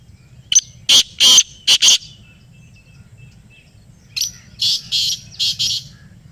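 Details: Black francolin in Pakistan responding to a played call, giving two grouped runs of harsh, grating bursts, each run about four notes, separated by a short pause, with a low steady hum beneath.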